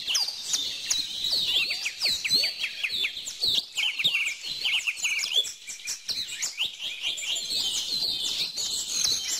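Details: Busy mixed birdsong: rapid sequences of high, slurred chirps and whistles from many singers overlapping, briefly softer midway before the chorus swells again.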